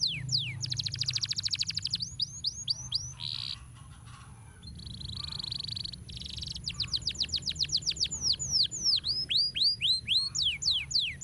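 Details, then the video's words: Canary singing a master song meant for training other birds: bright rising and falling whistled sweeps, buzzy rolling trills and a level steady note, louder sweeping phrases toward the end, over a constant high whine and low background hum. "Masteran Kenari Gacor Ngeroll Nikmat"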